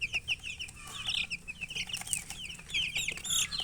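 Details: Coloured chickens chirping: a dense chorus of high, short, downward-slurred peeps from several birds overlapping continuously, with a few louder squeaks and a faint low hum underneath.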